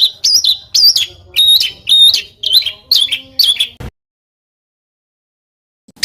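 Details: Small bird singing rough 'tembakan' phrases for contest-bird master training: about seven sharp, squeaky, up-and-down whistled notes spaced roughly half a second apart, then silence with a faint click at the end.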